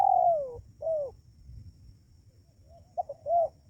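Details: Spotted dove calling, a recording used to lure wild doves close: a long coo falling in pitch, a shorter falling coo, a pause, then a quick double note and a short rounded coo.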